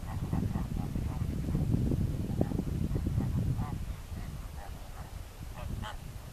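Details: Greater flamingos give a busy stream of short, goose-like honks, several birds overlapping, each note repeated roughly every quarter second, with heavy low rumbling background noise throughout.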